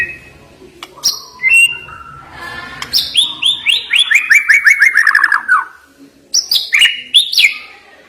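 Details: White-rumped shama (murai batu) song, a sharp 'isian' fill used to stir birds reluctant to sing: varied whistled phrases, then a fast run of about a dozen bright downslurred notes falling in pitch, and a final burst of high sweeping whistles.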